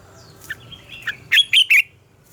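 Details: A red-whiskered bulbul's morning song in mature double-note style, played for voice training of birds: scattered soft chips lead into three strong, bright warbled notes close together, ending the phrase cleanly against quiet background.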